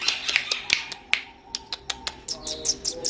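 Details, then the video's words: Long-tailed shrike singing for songbird masteran training, a rapid run of sharp clicking chips, more than two a second, that shifts near the end into higher, thinner chirps. "KICAUAN BURUNG CENDET"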